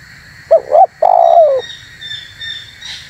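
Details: Dove call for trapping and provoking wild spotted doves: two short throaty coos then a long descending coo, followed by faint high chirps of other birds against a low background hum.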